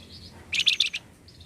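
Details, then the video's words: Flamboyan bird, sound used to spur others of its kind to sing: a brief loud burst of four or five rapid, harsh chirps, with soft high twittering before and after. "Pancing bunyi burung Flamboyan"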